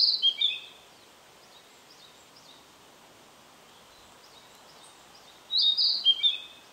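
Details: Narcissus flycatcher recorded on an Olympus PEN mini E-PM2 camera: two short, high, bright twittering phrases about five seconds apart, separated by near silence with a soft hiss.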